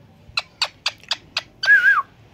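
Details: Indian green ringneck parakeet doing a cat-voice imitation: five short, evenly spaced raspy notes, then one sustained, wavering, whistled meow-like tone.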